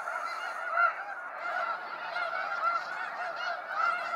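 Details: Massed snow geese leaving at sunset from Sacramento National Wildlife Refuge, a thick unbroken wall of overlapping honking with a few louder barks standing out.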